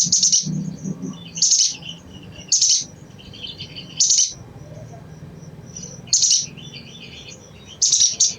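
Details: Crimson sunbird chattering, used to stir other birds into song: sharp high chips in short bursts roughly every one to two seconds, with a faint low hum beneath.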